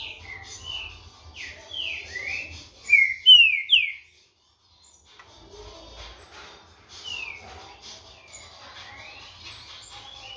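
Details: Captive green-winged saltator, a 16-month-old tournament bird from a breeder, sings loud whistled phrases of slurred, descending notes in a quick series, then quieter, distant-sounding phrases follow over a low background hum.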